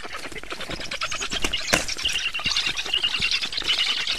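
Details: Black stork at the nest during feeding, 24 June 2017 at 19:52; dense rasping squawks and sharp repeated clicks, with high thin squeals strengthening in the second half over a steady rustling background.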